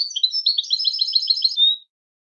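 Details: Short burst of European goldfinch song, a dense, liquid twitter of high, rapidly repeated chirps that ends on a drawn-out, falling whistle, heard on its own.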